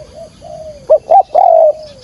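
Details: Spotted dove calling to lure birds for trapping: a soft low coo followed by two short rising notes and a longer sustained hooted note, all mid-pitched and tonal.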